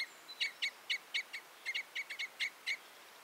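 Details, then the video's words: Red (Common) Crossbill (Loxia curvirostra), a finch, gives a quick series of sharp, clipped, high notes, about four per second at an uneven pace, over a faint background hiss. "The sound of the Red/Common Crossbill"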